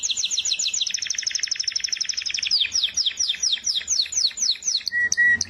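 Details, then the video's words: Canary song: a fast rattling trill of rapid high notes, then a series of repeated down-slurred whistled notes about four per second, ending with two short steady whistles. "زقزقه العصافير طيور الكنار كناري"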